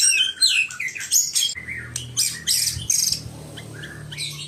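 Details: Loud, rapid white-rumped shama song of bright whistled notes and harsh squawky bursts, delivered in quick varied bursts with short pauses, over a low steady hum in the background.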